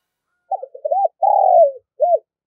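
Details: Spotted dove calling to lure wild birds: one cooing phrase of short broken notes, then a long drawn-out coo falling at the end and a single closing coo, mid-pitched and clean, with silence around it.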